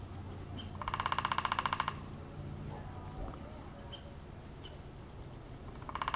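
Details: Woodpecker heard while tent camping in Sand Dunes State Park, Minnesota: one burst of rapid, evenly spaced knocks lasting about a second, then quiet, then a second burst starting at the very end, over a steady low hum and faint chirps.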